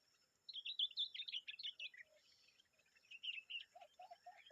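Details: Common babbler and young calling: a quick, high chattering series of squeaky notes, a brief pause, another scratchy burst, then a few lower soft whistled notes, in a quiet setting.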